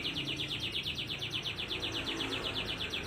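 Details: AF canary in fast, tightly packed song with unusual phrasing, used as a lure to get lazy canaries singing or as a tutor song; a rapid even trill of buzzy high notes, about three per second, steady throughout.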